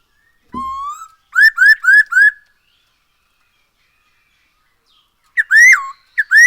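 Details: Black-throated laughingthrush song used to coax other birds into singing: a slow rising whistle, then four brisk upswept notes, a long silence, and two more loud rising-falling whistles.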